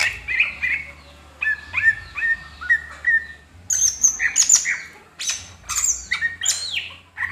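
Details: Greater green leafbird (cucak hijau) singing while fanning its tail, in a tutoring recording: short repeated mid-pitched chirps in quick runs, then bursts of high clear whistles mixed with harsh squawky notes, over a faint low hum.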